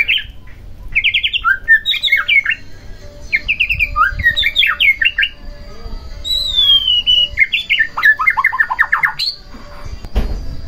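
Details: White-rumped shama song used to provoke another shama into singing; phrases of quick rattling trills and whistled notes, with a long falling whistle in the middle.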